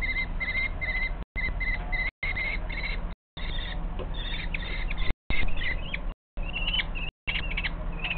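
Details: Two common kestrel chicks sheltering on a shelf under a ceiling give rapid, repeated high chirps in quick bursts, growing shriller and more excited as the mother brings prey, over a low wind rumble. Common kestrel.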